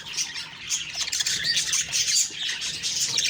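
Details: Budgerigars in the morning giving rapid, high, squeaky chirps and a few harsher squawk-like notes in a steady stream.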